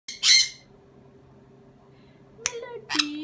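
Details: Sun conure giving two loud, harsh, raspy squawks, one near the start and another after a quiet gap of over two seconds, with faint low hum behind.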